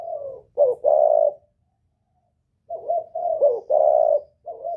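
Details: Spotted dove of the northern Vietnamese style, a 'kích bổi' lure call with a whistle-like 'giọng còi' voice: low mellow coos in two phrases split by a silent gap, a few short notes leading into longer drawn-out coos.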